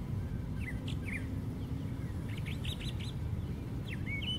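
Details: Brown thrasher singing high in a white pine tree: scattered brisk whistled notes, then a rapid run of repeated rising-falling phrases, closing with a rising slurred note, all over a low steady rumble.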